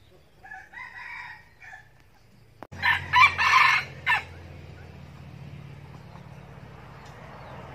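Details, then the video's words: Red junglefowl decoy bird, Bình Phước, Vietnam, loose and following a mate's call: a soft distant crow first, then a loud, choppy crow in four bursts lasting about one and a half seconds, with steady low hum behind. "Gà rừng mồi giọng này có ổn áp không anh em."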